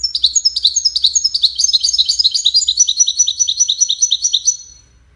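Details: European goldfinch performing the Widani song style, played so young goldfinch chicks learn it: a fast, continuous run of bright, tinkling twitters and buzzy trills, about two to three notes per second, fading out at the end.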